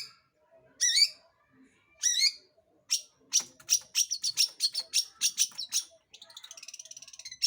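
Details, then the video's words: Lure song of a long-tailed shrike, used to set other birds singing: two loud rising, wavering whistles, then a quick series of sharp high chips and a fine rapid trill at the end. "PANCINGAN CENDET GACOR Di Jamin Pasti BUNYI"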